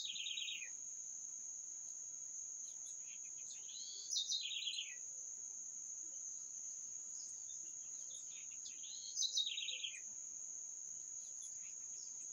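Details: A descending trilled bird phrase repeats roughly every five seconds, three times, each sliding from high notes into a rapid lower rattle, above a constant shrill insect-like whine.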